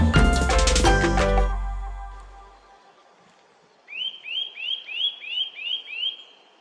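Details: A Eurasian Nuthatch near a smithy gives a quick run of about seven clear, rising, slightly slurred piped notes after a loud musical chord fades away.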